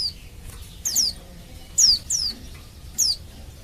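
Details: Female Oriental white-eye in heat calling males as a lure for song; high, thin notes falling steeply in pitch, about five over nearly four seconds, with a faint background hiss.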